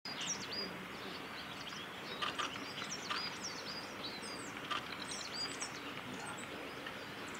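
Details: A coal tit on the Hayato River forest road at Lake Miyagase, Japan, 4 March 2018, gives thin, high-pitched calls: short squeaky notes scattered over steady background hiss, with a few sharper clicks.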